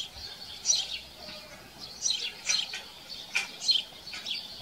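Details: Chirping house sparrows at a farm, loud high chirps and short chirrups in irregular bursts, several closely spaced, against a calm rural background.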